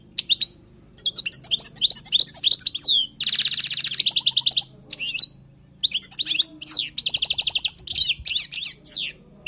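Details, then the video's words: Singing European goldfinch of wild origin, recorded for teaching: phrases of rapid chirpy twitters separated by short silences, including a long dense trill of repeated notes, in an otherwise quiet background. "تغريد حسون خلوي للتعليم"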